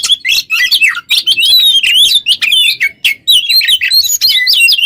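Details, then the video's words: Oriental magpie-robin (kacer) in full 'ngobra teler' song, used as a lure for training other songbirds: loud, fast string of varied whistles, slurred notes and twittering phrases, short pauses between bursts. "GACOR burung KACER ngobra teler cocok buat pancingan MASTERAN"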